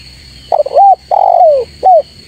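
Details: Spotted dove calling to draw rivals, used as a lure recording: a three-part coo with a stuttering opening note, a long hoarse middle note falling in pitch, and a short rising-falling closing note, over a steady high electronic whine.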